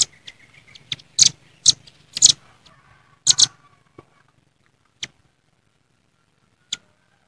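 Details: Velvet-fronted nuthatches calling rivals in nature: a handful of loud, sharp, high chips and doublets in the first few seconds, then only occasional isolated notes amid near silence.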